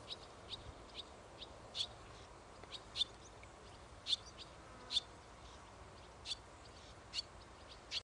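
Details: Young barn swallow, recorded 1 August 2011, giving short, faint high chips spaced about a second apart over steady background hiss.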